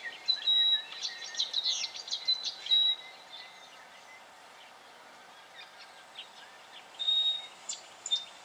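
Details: Black honeyeater recorded in Victoria, Australia, in October 2011; thin, level high whistles and short scratchy notes come in bursts over the first three seconds, then a quiet gap before more whistles and chips near the end.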